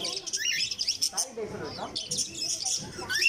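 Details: Cockatiel kept in a cage as a pet, uttering dense high chirping and twittering notes with a few rising whistles, over a low rumbling background.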